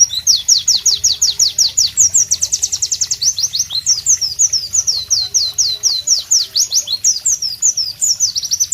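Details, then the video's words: Pleci white-eye delivering a powerful, rhythmic song: steady rapid chain of high, clear downslurred whistles, about several per second, occasionally speeding into quick trilled runs, with soft low background hum. "Masteran Pleci Bird Sounds Loud, Sharp and Melodious"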